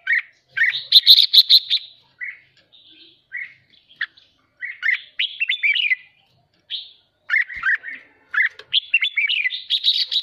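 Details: Red-whiskered bulbul in a cage, agitated and fired up, pouring out 'hót ché' chatter: lively strings of slurred, fluty notes with some high sharp chirps, phrases broken by brief silences.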